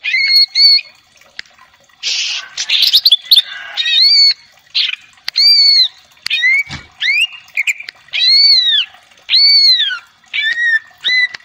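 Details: Female greater green leafbird song, used to provoke another bird into singing: loud, clear arched whistles, often doubled, alternating with harsh, buzzy rasping bursts and quick upslurred notes in a continuous, varied stream.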